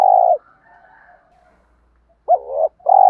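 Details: Spotted dove calling, part of a recording of female and male doves to stir males and train decoys: a steady low coo, faint murmuring tail, then a wavering coo and another starting.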